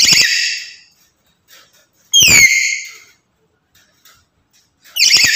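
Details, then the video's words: A black-capped lory, a talking, chattering bird, gives three loud, piercing, whistled screeches about two seconds apart. Each bursts out sharply, then fades, with silence between. "Burung Nuri Bisa Ngomong Dan Gacor"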